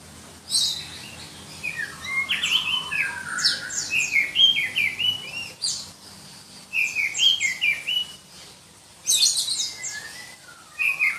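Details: Black-breasted Oriental magpie-robin (kacer dada hitam), endemic to Berau, East Kalimantan, a contest songbird prized for its shrill, densely packed song; long runs of high, sharp slurred whistles and trills in several bursts separated by short pauses.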